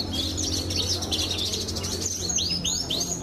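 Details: Pied Javan bush lark, a competition bird that recently won best of the best, singing a fast buzzy trill that breaks into several rising whistled notes, over a strong low hum.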